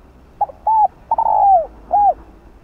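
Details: Decoy spotted dove calling to lure wild doves; a single hollow cooing phrase with a brief lead-in note, an arched coo, a long descending coo and a rounded closing note.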